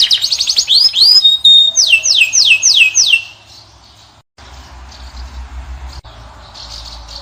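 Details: Caged Moroccan European goldfinch singing to draw a female: quick high twittering notes, then a run of downward-sweeping whistled slurs repeated about twice per second, followed by near silence with faint low hum.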